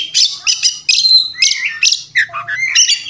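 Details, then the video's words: Oriental magpie-robin fluffed up in fighting mood: repeated clipped, chattering bursts are followed by low, throaty slurred notes and then bright, rising whistles, all loud and persistent, laced with imitated sounds. "kacer tarung ngobra ngotot full isian"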